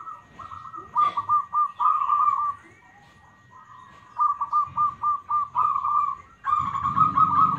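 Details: Local zebra dove (perkutut), smooth-voiced and responsive, used for luring other doves: long runs of rapid, bead-like coo notes in quick succession, broken by a short pause, with a louder burst of trilling at the end.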